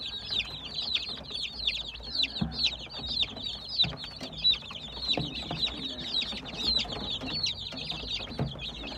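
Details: Many baby chicks peep together in a constant shrill chatter of short, high, down-slurred notes, crowding over one another for the whole stretch, with faint low background rumble.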